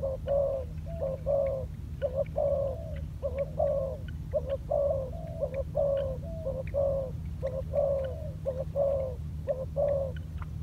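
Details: Decoy spotted dove training on the ground, cooing steadily: soft, low, rolling notes repeated roughly once a second in short groups, with a constant background hum and faint clicks.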